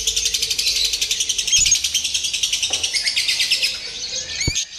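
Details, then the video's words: Simulated lovebird singing contest, used to toughen a bird for competition: rapid, high, scratchy chatter pulsing evenly, with faint knocks and a sharp click shortly before the end. "SIMULASI LOMBA TERBARU : TERBUKTI AMPUH MELATIH MENTAL LOVEBIRD"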